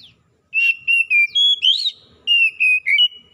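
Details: In gacor song, wild and domestic Oriental magpie-robins answer one another. Clear, loud whistled notes come in quick succession, held level or gently wavering, with one rising slurred phrase in the middle, over quiet low background sounds.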